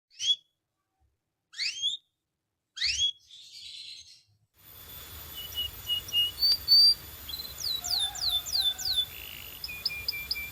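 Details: Canary singing in a recording meant for training quiet canaries: a few isolated sharp chirps with pauses, then a continuous high trilling song of rapid downslurred notes and short rolls over steady background hiss.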